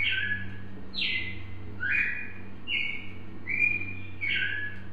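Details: A Red-crested Cardinal from Brazil sings clear, slurred whistled phrases, rising and falling, about six in five seconds, over a steady low electrical hum.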